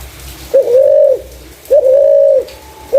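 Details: Spotted dove with a clear voice, suited as a lure for other doves. Two long, even coos with a sharp rising onset, then the start of a third, about 1.2 seconds apart.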